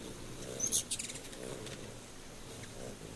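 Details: Very high, sharp squeaks from a ruby-throated hummingbird, several quick chips packed into under half a second, then quiet low background noise.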